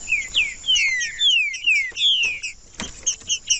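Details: Green-winged saltator singing to warm up a cold bird, a run of loud clear whistled phrases sliding downward, repeated rapidly, with a steady high hiss behind and a few sharp clicks near the end.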